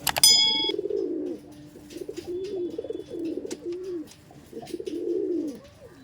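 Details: Teddy Kamagar pigeons at a loft where birds are sold, cooing steadily: deep rounded rolling coos in several swelling phrases, a sharp metallic clang near the start and faint background clicks.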